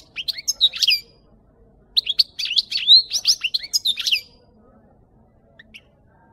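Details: Goldfinch song intended to train captive goldfinches: two bursts of rapid, high twittering with sharp chirps and slurred notes, separated by a brief silence, then near quiet.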